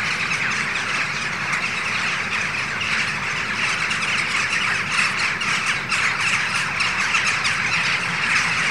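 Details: Hundreds of Western jackdaws arriving in the morning at Ringenberg Castle, flying around an early rainbow: a steady wash of overlapping short, sharp chack notes with no pause, over a faint background hum.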